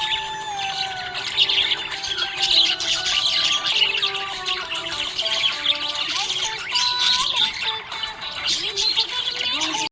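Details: Happy budgerigars chirping: a dense, busy wash of high, scratchy chatter and twitters from several birds, continuous for the whole stretch, with a stepping musical melody playing underneath throughout.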